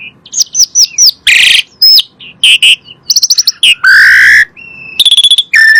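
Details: Asian pied starling song, a lure for caged birds: a jumble of looping whistles, harsh rasping bursts, quick trills and clear whistled notes in varied, mimic-like sequence.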